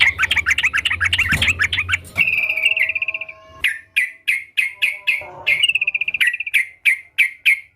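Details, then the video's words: Lively sooty-headed bulbul: busy chattering at first, then a trill and a steady series of loud, short whistled notes roughly three per second, with a brief thud. "Burung Trucukan Gacor"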